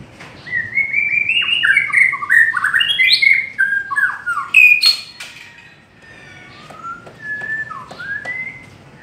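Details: A white-rumped shama sings a long-phrased song: a long, rich run of varied whistles and slurred notes, loud at first, then softer and more spaced toward the end.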